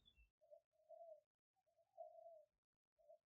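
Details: Spotted dove decoy bird, recorded live in Roi Et province, Thailand, on a smartphone to lure wild doves: low, mellow cooing notes in short held phrases separated by brief pauses, with a thin high whistle at the start.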